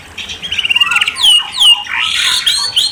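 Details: Short burst of white-rumped shama song: a buzzy rattling trill, then clear slurred whistles rising and falling.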